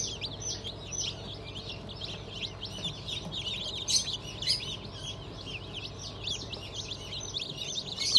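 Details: Newly hatched chicks of Black Australorp, Sussex and pheasant breeds, hatched 25 May 2023, giving a dense chorus of high, overlapping peeps with a low steady hum underneath.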